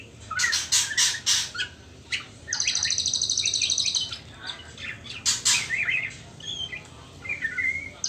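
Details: A trotol-stage young white-rumped shama, not yet in the pastol stage: loud clacking bursts, then a steady high buzzy trill lasting about 1.5 seconds, followed by scattered soft whistles and chirps.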